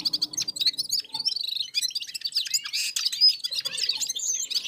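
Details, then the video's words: Red-fronted serins singing together in unison after feeding, with other birds nearby: a dense, continuous, high-pitched jingling twitter of rapid tinkling notes, squeaky slurs and buzzy trills running on without a break. "Попели поели и опять попели в Унисон Красношапочные вьюрки"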